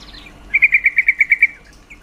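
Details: Call of a female yellow-vented bulbul used to stimulate males to mate: nine crisp, evenly paced notes delivered in under a second, steady in pitch, over a quiet background.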